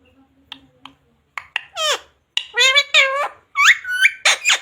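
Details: Indoor pet parrot speaking: faint clicks, then a string of clear harmonic word-like phrases, up and down in pitch, imitating household words such as "mummy papa" and the chant "radhe radhe".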